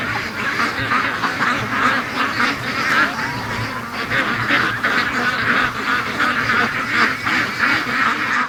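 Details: Free-range domestic ducks on the morning rush, many birds quacking at once in a dense, steady, raspy chorus.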